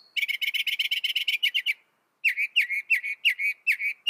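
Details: Mockingbird delivering a fast rattle of rapidly repeated raspy notes, then after a brief pause a series of throaty, falling chirps given about three times a second.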